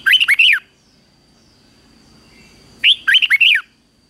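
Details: Fighting song of a red-whiskered bulbul recorded for morning training of wild-caught birds. Two matching phrases, each of about five rapid, warbled, rising-and-falling whistles, come roughly three seconds apart. A soft steady high tone is audible between them.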